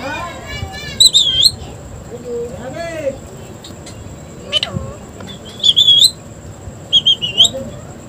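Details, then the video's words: Pet parrot talking, said to say "mitthu": short squeaky high-pitched utterances and shrill bursts, a few rising whistled syllables, with a person's low voice and a steady electronic whine in the background. "मिट्ठू मिट्ठू बोलने वाला तोता प्यारा सा"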